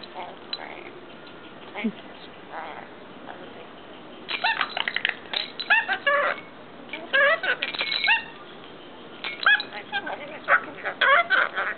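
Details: Caged pet rainbow lorikeet telling its owner off, upset at people touching its mirror, mimicking swear words: bursts of harsh, scratchy squawks and garbled speech-like chatter in a small room, with quiet gaps between outbursts.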